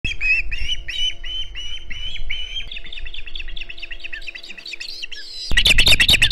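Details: Osprey at the Hog Island nest, 9 September 2019, calling noisily around a fish delivery: a fast run of high, sharp whistled chirps, several per second, ending in a burst of loud rustling and flapping noise.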